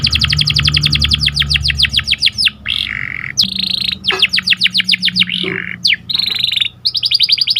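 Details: Caged canary with a sharp rolling cuit-cuit song for training and stimulating breeding birds; rapid repeated downslurred trills broken by short gaps, over a steady low hum.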